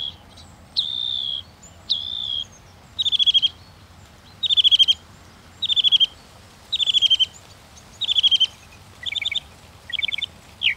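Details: Northern mockingbird delivering a sequence of distinct high phrases roughly once a second: steady whistles, then buzzy chattering notes, each type repeated before switching, over faint low rumble.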